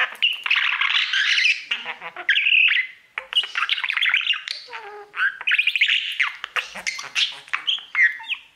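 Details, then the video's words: Caged male budgie singing at its mirror: a nearly continuous fast warble of squeaky whistles, clicks and buzzy chirps, with a short lull near three seconds and some lower notes midway. "Budgie sounds | Cookie and his Mirror singing"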